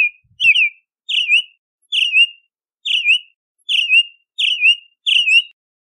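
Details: Bahama mockingbird delivering a repeated slurred whistled phrase, each dropping then wavering, about seven phrases spaced under a second apart, with a faint low knock at the start.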